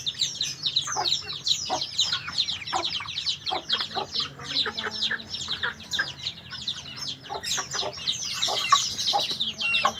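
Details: High, lively white-eye twittering: quick chirps and short buzzy trills follow one another in a dense run, growing busier toward the end, with a faint low hum behind.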